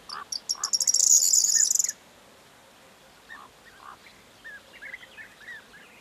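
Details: Corn bunting song, recorded 4 June 2022: spaced high clicks speed up into a rapid, jangling, metallic trill of nearly a second, then stop; afterwards scattered lower chirps and slurred whistles from other birds.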